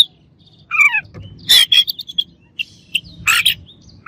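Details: Oriental magpie-robin singing to provoke rivals, with a descending slurred whistle followed by loud scratchy, rasping bursts and short sharp chips.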